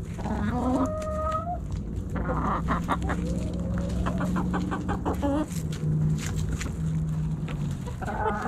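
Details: Backyard hens and roosters snacking at Thanksgiving: a lively chorus of rapid clucks and drawn-out tonal calls, with a sustained low hum running beneath the birds.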